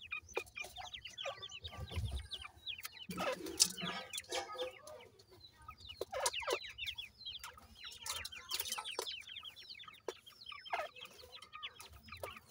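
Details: Grey francolin chicks feeding and playing give a continuous flurry of short, high, down-slurred peeps. Bursts of scratching, rustling noise and a low hum sound behind them.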